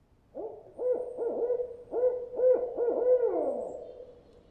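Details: A barred owl gives its most familiar call, the loud, rhythmic 'who cooks for you, who cooks for you-all' hoot, about eight deep notes ending in a drawn-out descending 'you-all', then silence to listen for replies.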